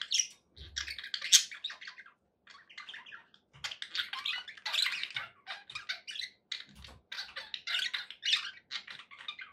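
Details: Indoor pet budgies, said to be happy, giving broken runs of high chirps, clicks and scratchy warbles in short clusters separated by silent gaps, with a few soft low knocks.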